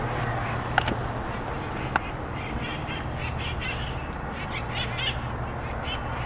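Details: Wild conures visiting Pasadena in Southern California: a rapid string of harsh, raspy screeches in the middle of the recording, two sharp clicks earlier, all over a steady low traffic hum.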